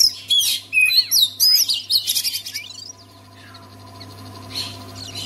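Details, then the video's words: Oriental magpie-robin, a caged songbird, sung to make quiet magpie-robins sing: loud rapid phrases of high sweeping whistles, harsh chatters and up-and-down slurs for about three seconds, then only faint distant notes over a low hum. "KACER ANDA MACET BISU? SEKALI DENGAR KICAUAN KACER INI PASTI LANGSUNG GACOR"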